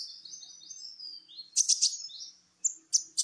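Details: Champion sunbird known as kolibri ninja, sung as a lure for other birds: a thin, wavering high whistle, then loud sharp bursts of very high chirps with brief pauses between them.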